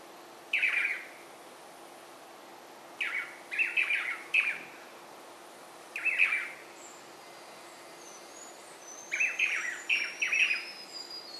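Swallow-tailed manakin giving harsh, nasal notes in singles and quick runs of two or three, spaced a few seconds apart, with faint high whistles from another bird behind.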